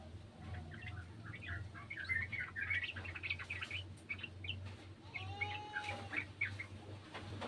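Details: Garden sooty-headed bulbul answering an untrained bulbul: busy, overlapping chirps and short twittering phrases throughout, with one smooth whistled slur midway and a low steady hum underneath.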